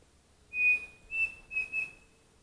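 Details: Pavonine cuckoo calling on a foggy morning in Mato da Capela, Bozano, Rio Grande do Sul, Brazil: four pure whistles on one high pitch, a longer opening note followed by three shorter, slightly slurred ones.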